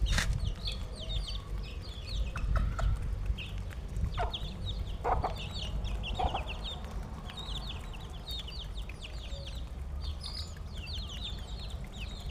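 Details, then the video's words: Chickens during feeding, giving high, short, curved peeps in loose bursts that come and go through the recording, with a few sharp knocks early on and a constant low background rumble. "just feeding the chickens"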